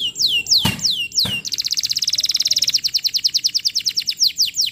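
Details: Canary song used as a lure for training young canaries, singing vigorously: a series of whistled notes sweeping downward, two sharp clicks, then a fast, even trill of rapid repeated notes that rises and falls in loudness.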